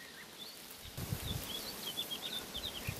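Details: A Woodlark (Lullula arborea) brushing its feathers sings quietly: faint, brief, liquid whistled notes scattered over three seconds, partly masked by low rumbling and soft background noise.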